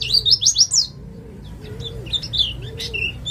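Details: White-eye from East Java, ngalas style, used as a singing lure: about one second of loud, quick, high twittered notes, then fainter scattered chirps over a soft recurring low whine and background hum.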